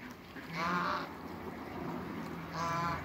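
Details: Domestic geese, African and Toulouse, on a farm meeting another animal: two loud nasal honks, one near the start and one near the end, with low murmuring between them.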